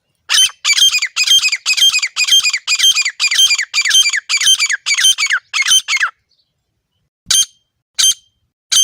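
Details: Wild grey francolin call, used for hunting, recorded in a natural setting: loud, harsh, repeated notes in a fast regular series of about twelve, then a pause and three more spaced notes.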